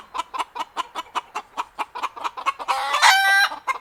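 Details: Chicken rooster clucking steadily, about four short clucks per second, broken by one loud strained squawk near the end before the clucking resumes.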